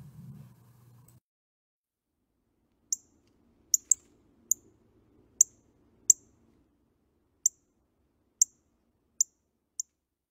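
Northern Cardinal giving about ten sharp, high, metallic chips, spaced unevenly roughly a second apart. A brief low murmur comes before them.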